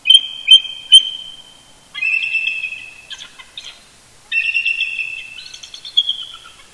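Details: Pair of eagles chortling together at a roost near their nest in Big Bear Lake, California, early Sunday morning, 18 November 2018, communicating first thing; three sharp high chips followed by two long bursts of shrill, squealing chatter separated by a pause.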